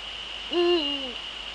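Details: Netherlands, 30 January 2013, 18:00: a male Eurasian eagle-owl utters a single loud, deep hoot that rises, holds level and slides down into a longer lower note, with a persistent high electronic hum behind.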